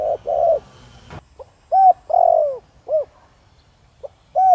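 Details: Spotted dove of thổ đồng voice, used to draw in wild doves: a scratchy, noisy double coo opens, then one clean phrase of short note, bright coo, long downslurred coo and rounded end note, another phrase beginning.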